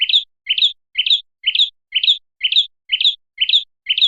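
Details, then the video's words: Red-headed prinia lure sound: a steady series of paired high chirps, the second note sliding upward, repeated evenly about twice per second with short silences between. "suara pikat burung kecil PRENJAK kepala merah"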